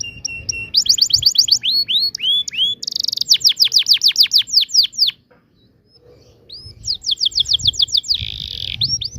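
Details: Energetic canary ngerol song for training young canaries to sing: flat whistles, looping slurs and fast rolls of falling notes, a buzzy burst, a short silence, then the rapid rolling resumes.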